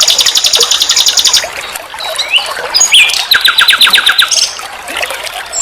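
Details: Nightingale master recording for training songbirds: a fast high rattling trill, a pause with scattered rising whistles, then another rapid repeated-note series sliding lower in pitch.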